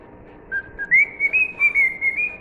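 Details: A cockatiel whistles one short line of "If You're Happy and You Know It": a low note, then a rising slide into a sustained, slightly wavering higher whistle broken into pulses.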